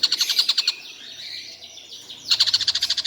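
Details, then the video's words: Stork-billed kingfisher calling all day without stopping; fast repeated high chattering notes, then a softer smeared stretch mid-clip, then the rapid notes resume. "Tengkek buto seharian bunyi tidak berhenti"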